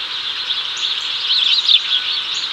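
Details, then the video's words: Male house sparrow calling a female over in Chicago, 2024, as the pair take cicadas; a quick tumbling cluster of bright chirps near the end rises out of a constant high hiss. "HOUSE SPARROWS call"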